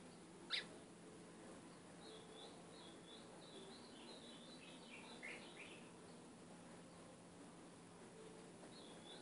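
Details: Ultramarine grosbeak song used to train a caged capped seedeater. A sharp click is followed by a soft flowing run of high warbled notes that ends in downslurs, then a brief phrase near the end. A faint hum continues throughout.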